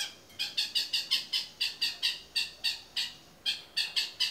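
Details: Cendet, or long-tailed shrike, singing 'toet miyik' for training other songbirds: a long, fast run of about eighteen grating, squawky notes in rapid bursts, with brief gaps between groups.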